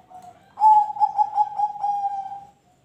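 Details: Zebra dove song used to prompt other birds to sing: a soft low coo, then a louder run of about six pulsing, mellow cooing notes at a steady pitch, fading out near the end.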